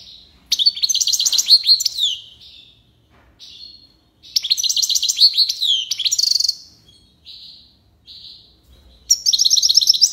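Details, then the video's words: A European goldfinch, or mqnin, sings tiwawati and lipassade phrases. Dense, rapid, tinkling twitters come in long bursts, broken by short, thin single whistles in the gaps. "مقنين(حسون) تيواواطي ليباساد روعة ما شاء اللّه"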